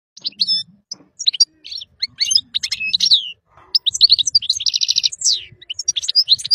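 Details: European goldfinch song meant for teaching young birds: quick liquid twitters, tinkling chirps and a fast buzzy trill, delivered in bursts with short pauses.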